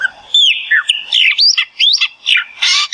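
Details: Chopi Blackbird of the Brazilian Cerrado singing a lively run of varied whistles, with rising and falling slurs and upward sweeps delivered in quick bursts, ending in a harsher burst.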